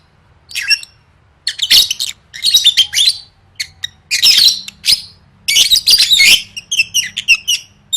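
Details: Lovebird singing for competition training: rapid, loud bursts of shrill, metallic chattering and squeaky twitters in dense phrases separated by brief pauses, with no other sounds.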